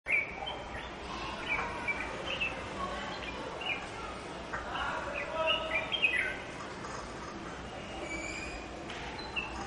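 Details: Red-whiskered Bulbul near its nest site gives short, bright chirps and brief whistled notes, scattered irregularly over a steady background hiss, with other faint bird chatter.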